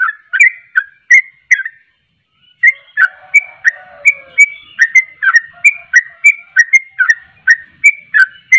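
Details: Sooty-headed bulbul singing a fast string of ringing whistles, breaking off for a second of silence, then resuming with a soft lower note behind before continuing the rapid series.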